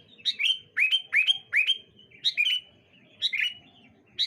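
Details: Rapid exchange of sooty-headed bulbul phrases on a bright morning: quick liquid notes, each a high chip sliding down into a rich whistle, tumbling several times a second with only short pauses between bursts.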